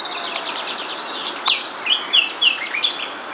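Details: Common nightingale (Luscinia megarhynchos) singing in April 2011, during the breeding season, from a branch about 5 m away on a riverbank: a rapid, varied phrase of dense high ticking notes, then a few clear whistled slurs, with faint chatter from other birds.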